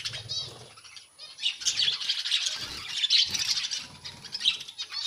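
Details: A budgerigar colony keeps up a busy, overlapping stream of high twittering and scratchy chirps, with soft thumps and low rustles like wings or movement breaking through now and then.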